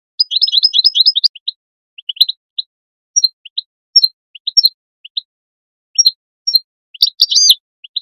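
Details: European goldfinch call used to motivate goldfinches into song: a quick tinkling twitter at the start, then scattered high chips and downslurred whistles, ending in a dense burst of bright notes, against quiet.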